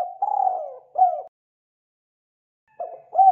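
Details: Spotted dove call used as a trapping lure: soft, low, mellow hoots in a short phrase with a slightly falling middle note, a pause, then the phrase starting again.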